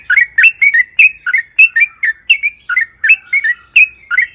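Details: Sooty-headed bulbul lure song: an even run of short slurred, bubbling notes, about four each second, on a quiet background.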